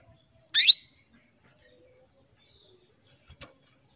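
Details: Female canary calling a male to prompt his song: one loud rising chirp, then quiet with a faint high tone, and a brief soft click near the end.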